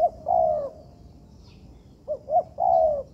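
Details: In an artificial training yard, a young spotted dove (tekukur) coos: a long mellow note, a pause, then a quick pair of rising notes leading into another drawn-out falling coo.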